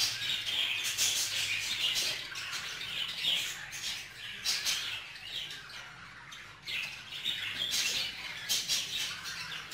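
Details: A male budgerigar jealous over a female, among budgerigars bred in a group: loud harsh squawks in repeated bursts amid continuous high chirping chatter.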